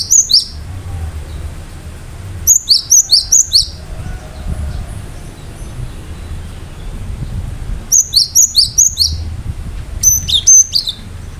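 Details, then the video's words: Cinereous tit called gelatik batu, in full gacor song meant to provoke other birds: four separated bursts of rapid, piercing high whistled notes, each a handful of strokes, with quiet gaps and a soft low background rumble. "Gelatik batu gacor awas burung mu akan ikutan gacor"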